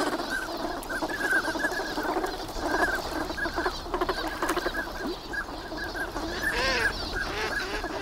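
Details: Migrant ducks wintering at Nagahama on Lake Inawashiro, seen lively on a sunny morning, giving dense overlapping nasal quacks and chatter, a few louder rising notes near the end, over wind and lapping water.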